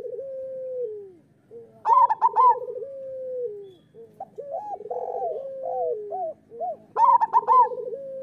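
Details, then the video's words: Master song of a local zebra dove for coaxing other doves into singing: long, low, drawn-out coos, then a loud trilled burst near two seconds, a series of bouncing hooked notes, and another loud burst near seven seconds. "Perkutut lokal gacor Suara Masteran Burung Perkutut"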